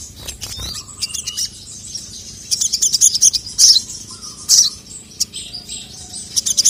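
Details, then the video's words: Sogon, female call with the male answering angrily; scattered high chirps building into bright, sharp twittering bursts every second or so, with soft background hum. "SOGON GACOR LANGSUNG NYAUT EMOSI NGAMUK DENGAR SUARA BURUNG SOGON MEMANGGIL JANTAN INI"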